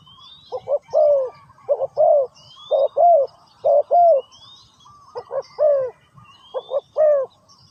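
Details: Spotted dove calling steadily, about once a second. Each phrase is a clipped double coo followed by a fuller, drawn coo, repeated six times. Faint high whistles from other birds are heard.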